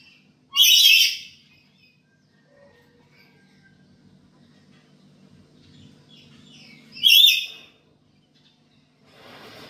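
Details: A black-capped lory kept at home gives two loud, harsh screeches about six seconds apart, each under a second long, over a faint low hum; the recording is used as a lure or training call for other lories.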